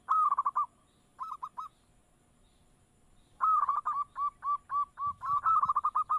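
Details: Zebra dove (perkutut) lure song meant to make other birds answer: a rolled coo, a short triple note, a pause, then a long chain of evenly spaced soft hooting notes running into another rapid trill over faint background hiss.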